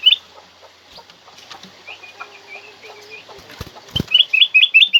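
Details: Black-crested bulbul singing loud, clear notes, played to stir kept bulbuls into song. Soft scattered chirps come first, then a quick run of sharp, bouncing, whistled notes near the end, about five in a row.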